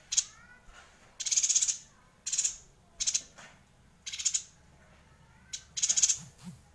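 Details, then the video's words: Yuhina in vigorous extended song (gacor ngerol), used to tutor white-rumped shamas: six dense, high-pitched rattling bursts at roughly one-second intervals, plus a few faint descending whistled notes early on. "Suara Yuhina Gacor Ngerol panjang"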